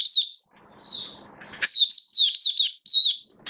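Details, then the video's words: Oriental white-eye, a caged hobby songbird in build-up form, recorded 19 September 2022, gives high chirps and a drawn warble, then a fast run of sliding twittering notes. "Mata Puteh V2 Raja Buka Sing Build Up Form"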